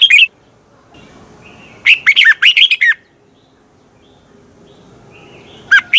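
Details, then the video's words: A Thai Red-whiskered bulbul gives one full, bubbling phrase of rapid, slurred whistles, preceded and followed by brief single notes, against a soft, low hum. "ฝึกเสียงของคุณเพื่อทักทายกับยอดเพลงและร้องเพลงที่มีไฟอย่างรวดเร็ว นกกรงหัวจุก"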